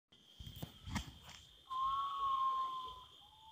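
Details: A Common Potoo, a nocturnal bird, gives a long, mournful whistle held steady for over a second, then a lower note begins; a thin, steady high drone runs throughout, with rustling steps at the start.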